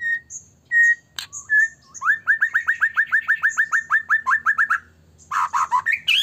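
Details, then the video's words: White-rumped shama in vigorous full song, used as a lure to provoke other shamas into singing and agitation: clear whistled notes, then a fast run of about fifteen rising slurred notes, a pause, and loud varied phrases. "murai batu gacor AMPUH buat PANCINGAN murai batu agar bunyi JADIKAN burung murai LANSUNG EMOSI"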